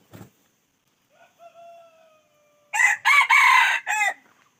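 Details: Red junglefowl calling: a faint, drawn-out tonal note first, then a loud, harsh crow broken into several rough bursts over about one and a half seconds near the end, with a brief thump at the start.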